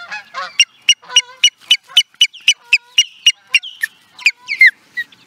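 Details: Osprey at Charlo, Montana, USA, in 2017, delivering a fast excited run of piercing whistled chirps, nearly four per second, ending in a few longer falling whistles.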